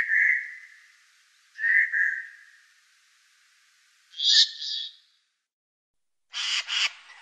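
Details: Eurasian jay in the morning in the Wittlich valley, 2018: two clear, slightly falling whistled calls, then a harsher double note and a loud, rasping screech, spaced a second or two apart.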